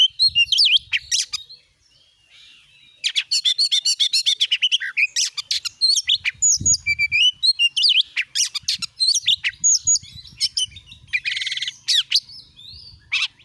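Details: Kacer lure song meant to spur a kept Oriental magpie-robin to sing: bursts of fast chirps and trills separated by short pauses, with a buzzy rattle and occasional low thumps.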